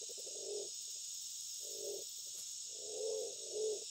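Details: In breeding season, a Black-naped fruit dove calls a female with four low, hollow coos, the last two closer together, over a steady high hiss of insects.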